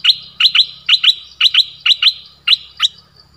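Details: Streak-eared bulbul repeats a sharp doubled chirp, about five pairs in quick succession, each note a bright upward flick, with a steady high whine in the background.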